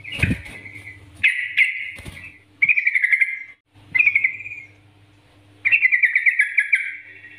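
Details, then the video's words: Yellow-vented bulbul master song for coaxing other birds to sing: clicks at the start, then short bubbly chattering bursts that grow into a longer warbled phrase, with a faint low hum beneath. "Masteran Trucukan Gacor NGGARUDA ini Rekomendasi untuk pancingan trucukan agar bunyi gacor"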